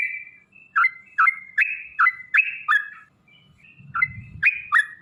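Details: Sooty-headed bulbul singing in 'gacor' style: spaced, liquid whistled notes about three per second, each a short dip and rise, with a brief pause midway and a soft low rumble.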